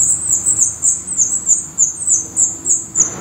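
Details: Rapid, regular series of shrill, very high squeaks from a black redstart nest in Portugal, about three calls each second.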